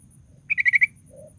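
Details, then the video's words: [4, 'Sooty-headed bulbul used as a lure to provoke others into song: a rapid run of five even chirps, followed by a faint low hum.'] "DENGAR SUARA BURUNG KUTILANG GACOR"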